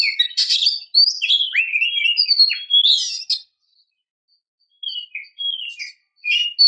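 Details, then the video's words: Calling female Oriental magpie-robin, meant to stir males to sing: a long, lively run of swooping whistles and harsh chatter lasting over three seconds, silence, then a few shorter whistled phrases with gaps between. "kicau burung kacer memanggil - pancingan kacer agar bunyi"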